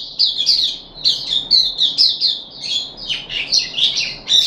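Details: On the third day of a deworming course, 14 July 2021, a caged puff-backed bulbul gives fast, scratchy, chirping notes, about two a second, with uneven spacing and a few harsher buzzes.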